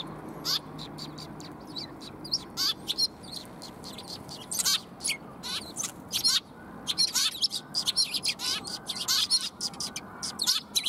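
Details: Group of sparrows arriving to get food, 20 March 2021; many quick sharp chirps, some slurred downward, overlapping from several birds, with a low steady hum beneath.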